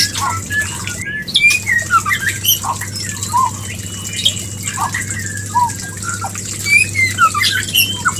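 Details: White-rumped shama mating call used as a lure: scattered short whistles and curled notes with pauses between, a brief noise burst near the start, and a constant low hum.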